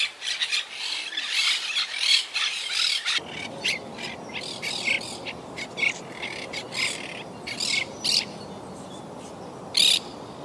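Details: Monk parakeets of a wild colony living high in trees at a yacht club, recovering after losing about half their number to Hurricane Irma in 2017. A burst of shrill, grating squawks opens, followed by spaced harsh screeches.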